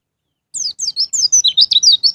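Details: After a short silence, a white-eye (pleci) pours out one continuous, rapid, high warble of slurred notes, in the ngalas ngeplong style used to prompt caged birds to sing.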